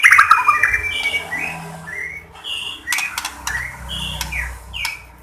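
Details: White-rumped shama from Lahat, used as a lure to make other shamas sing: an opening flurry of notes, then clear slurred whistles spaced about half a second apart, with occasional clicks.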